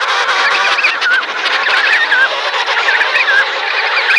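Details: Emperor penguins at Cape Washington, Antarctica, feeding chicks: a dense, loud colony chorus of overlapping warbling, wavering whistles, many birds calling at once without pause.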